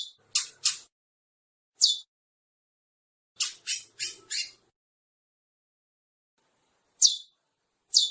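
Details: Chestnut-bellied seed finch pair giving scattered harsh, raspy notes, singly or in quick clusters of two to four, separated by silent gaps of up to two seconds.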